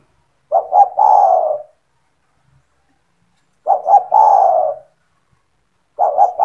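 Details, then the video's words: Spotted dove, a kept bird in 'gacor' singing form whose voice is played to entice other doves: two full phrases of a pair of brief hoots then a drawn, descending purr, about three seconds apart, with a third beginning. "SEMUA TEKUKUR / DERKUKU AKAN TERPIKAT DENGAN SUARA TEKUKUR GACOR INI"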